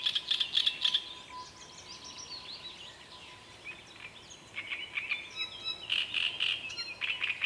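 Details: Great reed warbler song: loud, rasping churring phrases open and close the recording in rapid repeated bursts, separated by a quieter stretch where distant birds whistle.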